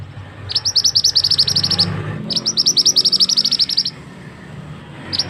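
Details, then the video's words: Male scarlet-headed flowerpecker, called mandi darah or mantenan, giving its loud trapping lure call: two long rattling trains of sharp, high ticks, about six per second, then a single note at the end. "Suara pikat burung mandi darah / mantenan jantan"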